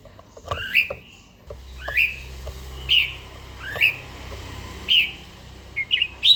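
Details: Morning song of a trained, mature red-whiskered bulbul with a forest-type voice: short whistled phrases sweeping upward, then a clear note, repeated about once a second with a faint low hum behind.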